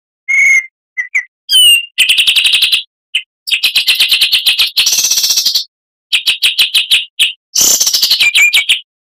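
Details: Oriental magpie-robin (kacer) singing a full-material tutor song for training cage birds: short clear whistles, then long bursts of rapid buzzy repeated notes with brief high whistled phrases between them; no other sounds.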